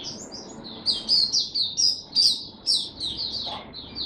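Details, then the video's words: High, sweet, fast-rolling warble from a caged white-eye in Singapore, recorded 31 July 2023 as the bird opens up in song again, rising in loud pulses about twice a second. "Singapore Mata Puteh Buka Sing"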